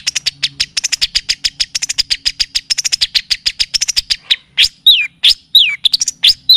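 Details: Long-tailed shrike (cendet or pentet) song used as a tutoring and lure recording: a rapid series of sharp high chips, about three per second, then loud slurred downward-sweeping whistles and squeaks.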